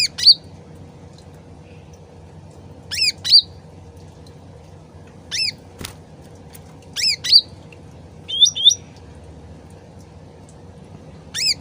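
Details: Sooty-headed bulbul, an original recording used as a lure to make other birds answer quickly. Short paired phrases of bright, rising whistled notes, several bursts separated by pauses, over a steady low trickling-water background.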